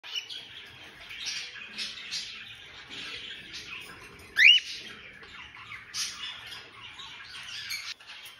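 A cockatiel gives one sharp, rising whistled call over a soft bed of background chatter and rustling.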